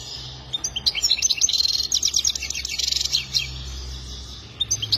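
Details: Rapid tinkling goldfinch song, a burst of high buzzy twitters and trills running for about three seconds, then quieter scattered chips over a soft low hum.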